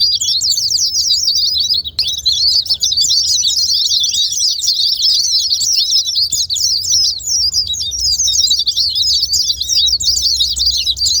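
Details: Long unbroken white-eye song played to encourage silent white-eyes to sing: a torrent of fast, high, warbling twitters after a tiny pause near the start, steady in loudness throughout, low hum underneath.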